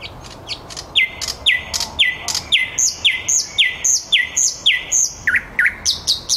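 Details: Evening song at 21:30 from a thrush nightingale in Käpylä, a part of the city of Helsinki: a steady run of sharp, hard notes about three per second, each with a bright upper overtone.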